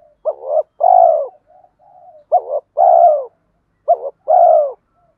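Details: Male and female spotted doves call to spur training birds: three paired phrases, each a short rising note then a fuller, longer coo, repeated about every one and a half seconds with soft murmurs between.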